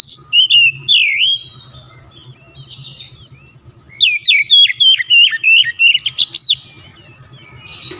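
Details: Kacer, the Oriental magpie-robin, in full lure song: sweeping whistled notes first, then a pause, then a fast run of sharp rising and falling chips and trills repeated several times per second, over soft low hum.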